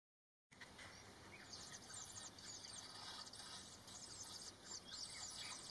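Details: Woodchat shrike, one of a pair in full courtship, giving harsh, scratchy chattering bursts in quick irregular runs, high-pitched and dry, over a steady faint background hiss.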